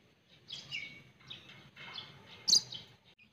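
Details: A treasured pet white-rumped shama gives soft, high warbled phrases in short bursts, then a sudden sharp loud note near the end, with a quiet low rumble underneath.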